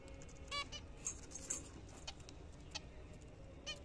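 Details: Pet zebra finches at their morning feed of apple and seed, giving a few short nasal, buzzy call notes spaced over several seconds against a quiet background hiss.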